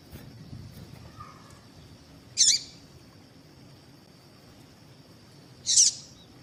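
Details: A female double-collared seedeater call meant to make males sing: two short, piercing high notes about three seconds apart, quiet hiss and a steady faint whine in between.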